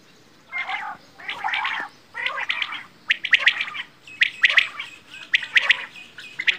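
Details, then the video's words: Quail (batair) calling, beginning with softer, raspy chattering bursts and shifting into sharper, brighter chirp clusters repeated roughly once a second. "Quail | Bedana | batair ki awaaz"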